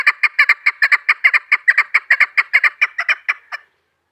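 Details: Hunting decoy female chukar partridge calling a fast run of harsh clucking notes, about two to three per second, evenly spaced, stopping abruptly before the end, followed by silence.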